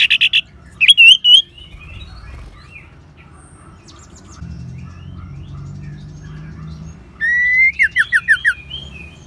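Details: Orange-headed thrush song from northern Bali, meant to coax caged birds into singing: a few sharp high notes, long quiet gap with a low hum, then a rising whistle into a quick burst of repeated chirps.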